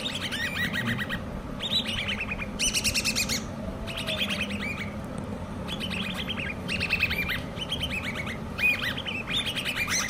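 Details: Harsh squeaky chattering from hand-reared common babbler chicks, delivered in separate bursts with short pauses between them, against a continuous low droning background.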